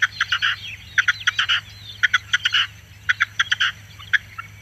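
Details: Red-legged Partridge song, a run of grating, clipped notes grouped in rhythmic phrases roughly once a second, each phrase ending in a longer drawn note.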